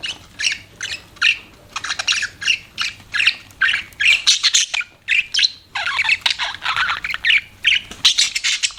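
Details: Budgerigars chirping: dense, continuous bursts of bright, scratchy chirps and squawks, each lasting a fraction of a second and repeated almost without pause, with several birds overlapping.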